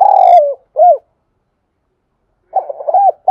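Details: Spotted dove from Đồng Nai, Vietnam, cooing to lure other doves: a loud long falling coo and one short arched coo, silence, then the next phrase starting with gruff clipped notes and an arched coo.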